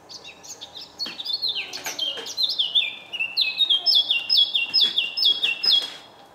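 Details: Morning song of a Eurasian blackcap at Senigallia, 25 June 2016: a scratchy, varied warble opens, then breaks into a loud, regular string of fluted, down-slurred whistles, about eight in a row, before stopping.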